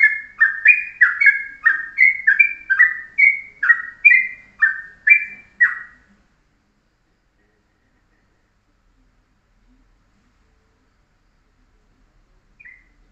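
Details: Yellow-vented bulbul singing a short, dense ropelan-style morning master song for tutoring birds: about thirteen rich whistled notes in quick, bouncing succession over six seconds, then silence with one faint note near the end.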